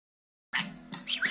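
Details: A budgerigar repeatedly says "gotcha" in a thin, raspy, high-pitched voice after a moment of silence.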